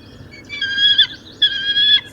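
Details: At a wild bald eagle nest on the Ottauquechee River in Quechee, Vermont, with an eaglet hatched April 24, a Bald Eagle, likely adult Windsor, gives two high, thin, slightly wavering screeches separated by a short pause, over a faint low hum.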